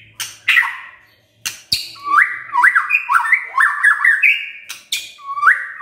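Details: White-rumped shama singing in the morning as a lure to provoke a silent shama; after sharp broadband clicks, a run of rich, slurred whistles rises and falls in quick succession, with a few scratchy notes between phrases.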